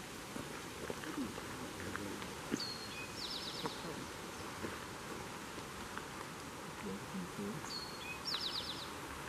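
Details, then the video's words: Eastern Towhee at Lost Valley State Forest, New York, sings twice, each phrase a high clear note, a lower note, then a quick buzzy trill, over steady hum and rustling background noise. "Eastern Towhee"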